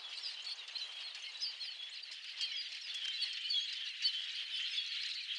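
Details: A large murmurating flock of Red-winged Blackbirds on the Napa wetlands, California, gives a dense, continuous chorus of high chips and squeaky chatter, many birds calling at once.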